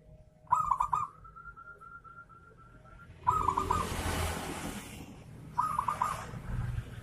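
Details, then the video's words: Zebra dove singing in the kerot style, used to stir less-aroused local doves into song: a quick stuttering burst of coo notes, a long level tone, then a hissing noisy stretch and another burst of rolling coos. "SUARA MEMANCING PERKUTUT IKUT GACOR || PERKUTUT KEROT NGAYER"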